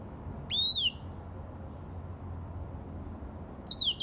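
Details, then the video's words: Grey singing finch from Africa producing a clear whistled note that rises sharply then slides gently down, followed after a silent stretch by another descending high whistle. "تغريد ياسمين رصاصي افريقي chanteur "d'Afrique"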